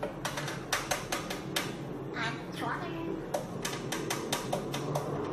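An African grey parrot mimics speech in brief voice-like phrases, amid a run of sharp, rapid clicks and taps like typing.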